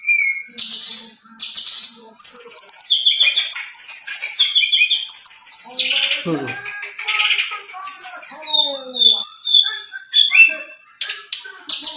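A brown-chested jungle flycatcher sings a long, varied, rich run of clear whistles, trills and quick slurred notes, mostly high-pitched, with buzzy bursts and a few descending sweeps.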